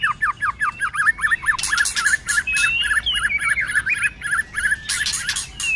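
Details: Shama delivering a fighting song with many voices: rapid run of repeated zigzag whistles at steady pitch, a long gliding whistle midway, and loud harsh rattling bursts breaking in.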